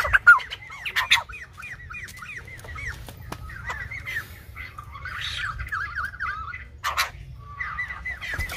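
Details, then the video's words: Silver-headed babbler singing like a Lumba dancer: quick series of short, repeated downslurred notes, several in a row, then pauses and further rattling runs, with a few loud knocks and faint low rumble behind. "Khướu Đầu Bạc / Silver -headed Babbler / Singibg like aLumba Dancer"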